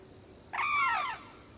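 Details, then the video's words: A Sarus crane (Grus antigone) gives one loud, brassy trumpeting note lasting about half a second, dipping slightly in pitch at the end, over a faint steady high hiss. "Sarus crane call"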